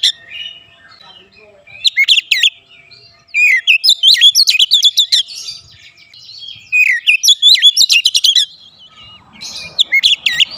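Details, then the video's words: Home-kept Oriental magpie-robin singing loudly: long, rapid runs of varied, upswept and looping whistled notes, some harsh and buzzy, broken into several phrases by short pauses. "Kacer rumahan selalu bunyi gacor"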